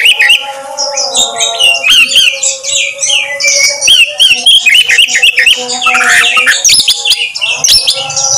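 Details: Kacer, or Oriental magpie-robin, singing as a lure to coax out another bird's repertoire: loud ringing whistles and quick slurred notes, mostly high, over a sustained lower humming tone, with bursts of buzzy chatter.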